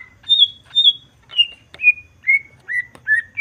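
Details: Clean descending series from a Greater green leafbird, meant to stir other birds: high drawn whistles stepping down through about eight notes, nearly evenly spaced, the last turning upward.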